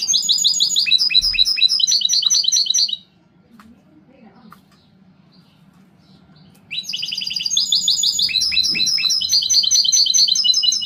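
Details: European goldfinch song in a mixed-song style, bursts of rapid, high twittering and tinkling notes with buzzy trills, a pause of about four seconds in the middle, then the song resumes; faint low hum and a voice beforehand.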